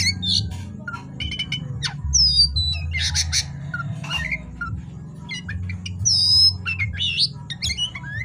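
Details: Oriental magpie-robin singing busily at night, with high slurred whistles, rasping bursts and a long wavering buzzy note, accompanied by a low constant hum.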